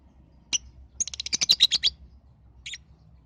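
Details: Lovebird lure sound, played to make other lovebirds sing and said to suit balibu birds; one sharp high chirp, then a rapid burst of about ten harsh chirps in roughly a second, ending with a brief chirp pair over a quiet low hum.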